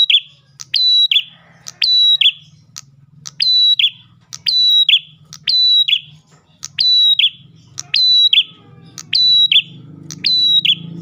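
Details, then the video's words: Ash tailorbird song used as a lure for other tailorbirds, steady series of clicking, whistled and buzzy descending phrases repeated about once a second over a low rumbling background. "PRENJAK GACOR pancingan burung prenjak lain"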